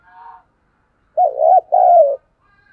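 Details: Cooing of a spotted dove, played to get caged wild-caught and decoy birds calling during wind and rain: a faint soft note, a pause, then a wavering coo followed by a longer, smoothly falling coo.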